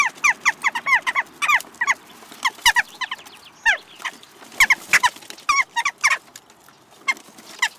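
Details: A flock of Western jackdaws (Coloeus monedula) trades short, sharp 'tchak' calls, several birds overlapping in quick bursts, over a faint background hum; recorded in Recke, Germany, on 7 May 2021.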